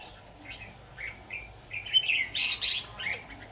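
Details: Red-whiskered bulbul song recorded during bulbul trapping with a decoy bird on 23 October 2019: short, bright warbled phrases in quick bursts, louder rich notes near the end, with faint background hiss.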